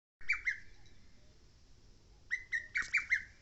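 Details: Lesser cuckoo singing on Mount Oike: a loud phrase of three sharp, slurred whistled notes, a pause, then a further burst of four emphatic notes, with quiet background hiss.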